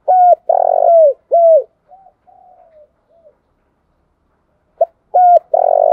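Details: Spotted dove singing as a lure bird for trapping: two hooked coos framing a long burry coo, then soft trailing coos, silence, and the phrase starting again.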